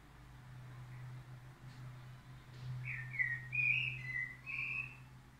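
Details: Faint crested lark song over a constant low hum: quiet at first, then a short run of whistled, slightly fluty notes rising and falling in the second half.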